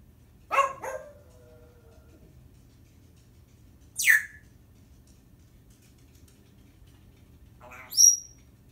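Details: Talking Timneh African grey parrot gives a raspy double utterance with a trailing tone, then a steeply falling whistle, and finally a high, sharp whistled note, each separated by several seconds of quiet.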